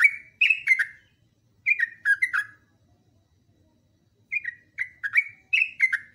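Yellow-vented bulbul giving three bursts of bubbly, chattering phrases made of quick downslurred mid-pitched notes, separated by pauses of one to two seconds; a faint low hum underneath.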